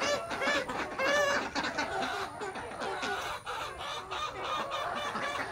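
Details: Morning at a village desi chicken farm with naturally hatched chicks: steady clucking mixed with high, thin peeping notes, over a constant background hum.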